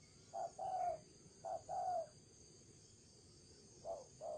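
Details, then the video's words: Decoy spotted dove delivering 'thổ trần' coos: two paired phrases of a short note and a longer warbling coo, a pause, then a third phrase beginning, over quiet background hiss. "Cu gáy mồi thổ trần"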